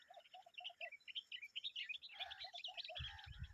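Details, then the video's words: An adult common babbler and her babies calling: a burst of busy high squeaky chirps over short low slurred notes, followed near the end by a few dull low thumps. "The common babbler and her babies are making noise"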